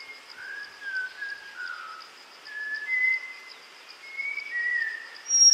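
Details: Several Malabar whistling thrushes at a water hole in Tamhini forest, Western Ghats, in hot summer May give loose, human-like whistled phrases that slide up and down in mid pitch over a steady high insect drone.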